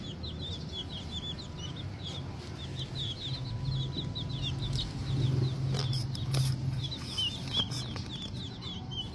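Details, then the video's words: Small green junglefowl chicks chirping rapidly, about two peeps a second, in a high twittering chorus; a low droning hum runs beneath, with a few clicks and rustles near the end. "lucu juga ya anakan ayam hutan kalau masih kecil"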